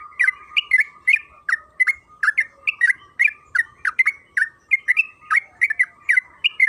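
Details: Lure for yellow-vented bulbul (trucukan kebo) to sing with long rapid chatter: loud, evenly paced bubbling notes, about three each second, continuing without break over a steady thin tone.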